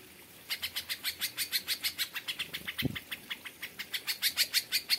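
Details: Greater Green Leafbird in an aviary giving kapas tembak style song as continuous harsh, rhythmic chatter of rasping notes, with a brief low thump partway through.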